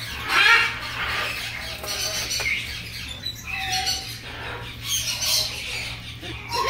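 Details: Young red-tailed grey parrot expressing affection to a friend during a visit; harsh, raspy squawks in uneven bursts, a brief clear whistled note midway, then more scratchy chatter over a steady low hum.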